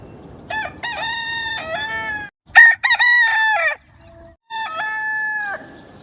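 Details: Rooster crowing repeatedly: three separate loud cock-a-doodle-doo calls, each a stepped, harmonic, drawn-out note sequence, separated by short pauses, with faint low background rumble.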